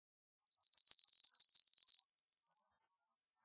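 A yellowhammer sings a quick, even series of about nine thin chips, then a drawn-out buzzy note and a high falling whistle to finish.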